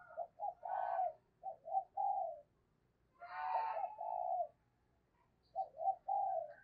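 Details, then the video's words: Spotted dove used as a lure bird, calling in thúc and gáy style to draw wild doves. Repeated phrases of low hooting coos, some sharper and buzzier, end in long drawn notes over faint background hum. "tiếng cu gáy - Chim Cu Mồi Thúc Và Gáy Gọi"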